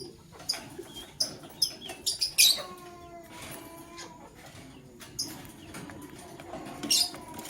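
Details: Male lovebird selecting a partner, giving a quick series of shrill, clipped chirps that ends in a bright burst. A quieter pause with distant tonal bird calls follows, and a final burst of chirps closes it.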